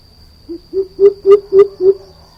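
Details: A greater coucal gives six resonant low hoots in quick succession, beginning softly and swelling in volume, under a steady faint high-pitched hum.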